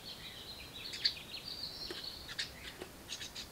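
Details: Nestling house wrens inside a birdbox screaming for more food as a parent arrives: a steady high, thin buzzing trill broken by a few harsh scratchy chips.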